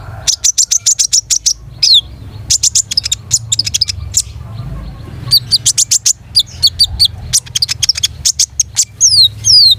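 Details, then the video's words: Long-tailed shrike song, energetic and varied: dense bursts of rapid, very high chirps with short pauses between them, and sharply falling whistled notes at the ends of some phrases. "SUARA KONIN GACOR MATERI MEWAH"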